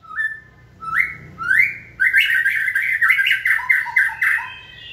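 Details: White-rumped shama stimulated to sing in training: rising whistled notes build into a fast, loud, rich warbling phrase of stepped, slurred notes that drops lower toward the end.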